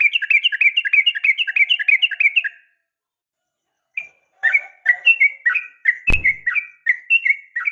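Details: Female yellow-vented bulbul calling the male: a fast run of bright chirpy notes, each a short rising-falling twist, about ten in two and a half seconds, then a pause and another looser run with one sharp click.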